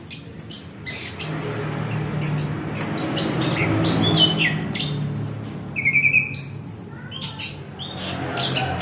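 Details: Song of a chestnut-capped thrush (anis kembang): quick sequences of high chirps and sweeping whistles, including a fast trilled rattle near the end, set against a constant low droning hum.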